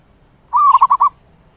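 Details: Zebra dove calling the flock: a sustained cooing note followed by four quick staccato coos, all at an even mid pitch with rich overtones, against a quiet background.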